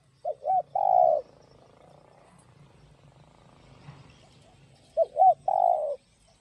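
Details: Spotted dove in field-voice style, meant to stir other doves to coo: two well-spaced phrases, each two quick short coos followed by a longer, slightly wavering coo, with low rumbling background between them.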